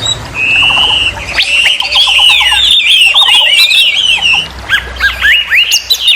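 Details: Very noisy Chinese hwamei (wambi) song used as a training model for other songbirds: long loud whistled phrases, rapid looping warbles and repeated short notes, over a low rumbling background.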